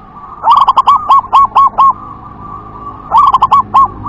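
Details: Zebra dove of local wild stock gives WER-KE-TE-PEK style song: a loud run of about seven quick, rounded coo notes, a short pause with a faint hum, then a second run of rapid bubbling coos.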